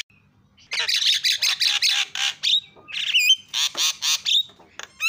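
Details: Javan myna giving loud, harsh, rasping squawks in quick bursts, several per second, with brief pauses between runs; a lure recording meant to make mynas call.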